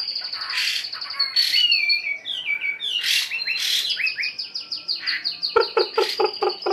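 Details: Hwamei caught from the wild and caged for a week, delivering loud varied whistles and descending slurs broken by harsh broadband bursts. A series of short rhythmic knocking pulses closes the passage.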